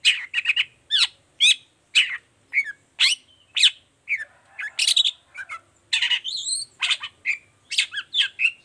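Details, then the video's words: Long-tailed shrike in full 'toet toet' song, intended to prompt other shrikes to sing; varied sequence of sharp whistles, buzzy chirps and rasping slurs, with a scratchy chattering stretch partway through. "Suara Cendet Gacor Toet toet"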